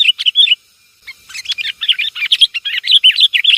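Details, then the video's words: Sooty-headed bulbul chatter used as a lure: a few loud warbling chirps, a short gap, then a crowded, excited stream of overlapping bubbly notes. "Suara pikat burung kutilang"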